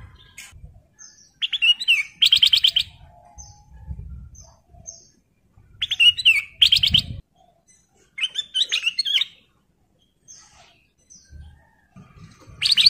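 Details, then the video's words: A male sooty-headed bulbul in breeding condition calls for a mate with bright, chattering song phrases in bursts every few seconds, with soft low thumps between them. "KUTLANG EMAS GACOR MEMANGGIL BETINA"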